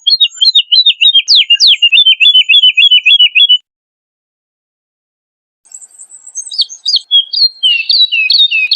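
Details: Woodlark singing a tutor recording: a run of quick, bright, repeated liquid notes, then a short pause. The song resumes with faster, rising and falling whistled notes that grow louder toward the end.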